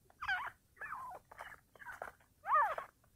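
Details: Partridge (teetar) during a fight: five harsh, hoarse harmonic notes in about three seconds. Each note bends up and down and is roughly half a second long, with short gaps between them and a faint background hiss.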